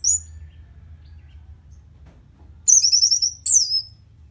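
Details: Orange-headed thrush song meant to stir a bird after moulting into a more aggressive mood. One short high note opens, then a long silence, then two loud bursts of fast, rippling, high warbles.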